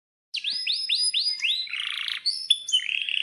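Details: Canary song used to prompt caged canaries to sing: five slurred whistles in a row, a short rattling buzz, then brighter piping notes and a fast chatter.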